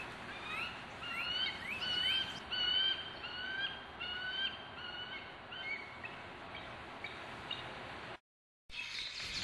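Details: Bald eagles in a Florida Everglades swamp forest near their nest, heard in cool pre-dawn winter air under a setting full moon, give high, thin piping chatters, short squealing notes in quick bursts over a steady background hiss.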